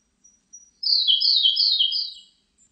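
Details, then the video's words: Song of a Siberian blue robin from 2020 opens with two soft, thin high notes. A fast, bright, slightly descending trill runs for about a second and a half against silence. "쇠유리새, 1번 듣기, 곤충소리, 새소리"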